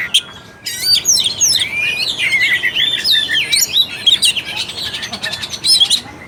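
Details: Oriental magpie-robin, a lure to spark singing in an idle bird: after a brief quiet start, a continuous rich warble of looping whistled slurs and buzzy chatter runs throughout.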